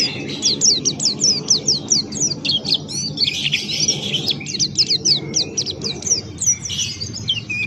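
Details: Buxtoni white-eye, a Pleci male kept as a songbird, giving lively open-beaked 'ngalas' forest-style song. Rapid, high twittering runs of sharp, slurred notes pour out almost nonstop, over a low background rumble.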